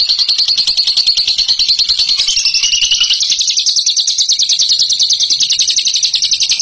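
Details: High, continuous chattering ngekek from a bird called a champion of the style: fast, rattling notes repeated about three to four times a second. The pitch wavers slightly but the trill never breaks.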